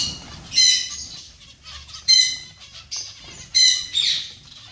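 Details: Zebra finch colony with sparser nasal harmonic calls in four distinct bursts roughly a second apart, plus soft rustling or wing sounds between.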